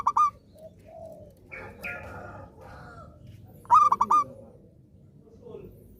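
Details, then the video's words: Zebra dove in active song, played to encourage doves that stopped singing: clipped stuttering coo phrases at the start and near the end, with softer cooing and buzzy chattering calls in between. "perkutut gacor rajin manggung"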